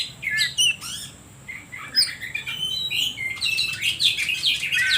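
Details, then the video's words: Oriental magpie-robin song as a lure to make other birds sing: varied rising and falling whistles and sharp chirps, growing into a dense, continuous warble in the last two seconds. "Suara Pancingan Kacer Paling Ampuh || Bikin Burung lain Makin emosi"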